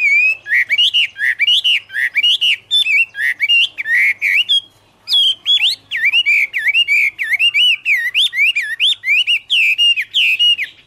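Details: Autumn song of a Chinese hwamei, Garrulax canorus: strong run of looping whistled notes with sharp overtones, a brief pause midway, then a second fast burst of repeated rising-and-falling phrases.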